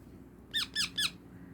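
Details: Baby parrot kept as a pet in a small room, three short high squeaky calls repeated quickly, each note curving downward, against low background hum.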